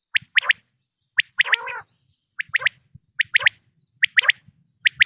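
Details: Male and female common quail calls used in Pakistan for quail hunting: sharp triple-note phrases spaced about a second apart, with one lower raspy call after the second phrase.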